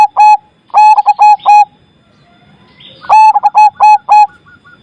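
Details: Loud-voiced zebra dove, whose song is used to get doves that have stopped singing to sing again: two phrases of short, mellow, staccato coos repeated rapidly, separated by a pause of about a second and a half.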